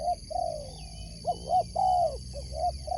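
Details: Spotted dove, a sport dove named in competition context, cooing a sequence of low mellow notes around mid-pitch, short coos followed by a louder drawn-out falling coo; faint high chirps of other birds and a steady high electrical hum behind.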